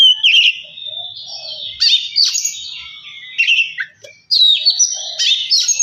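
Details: Oriental magpie-robin singing, used to stir a bird into song: clear high whistles alternating with scratchy buzzes, phrases broken by short pauses.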